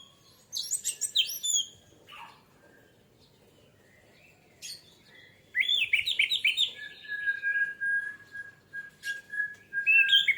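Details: Orange-headed thrush song used as a lure to prompt other birds to sing. High whistled, warbling phrases with rapid trills, a pause, then a long run of varied slurred notes ending in a steady held whistle.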